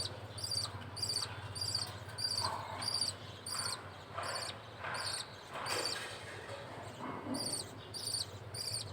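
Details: Budgerigar chick being fed by the male: a high, raspy two-part call repeated about every second and a half, steady and rhythmic, over faint low background hum.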